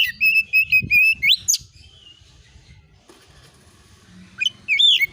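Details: Lure song of an oriental magpie-robin to draw replies: a string of repeated whistled notes ending in a steep rising sweep, a long quiet gap with faint low background, then a brief rising whistle.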